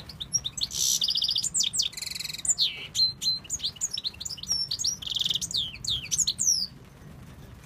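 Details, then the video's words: European goldfinch in Tunisia singing loudly and continuously: rapid sliding twitters mixed with harsh, buzzy rattles, the phrases tumbling over one another for about seven seconds before fading to quiet. "Chardonneret de la tunisie"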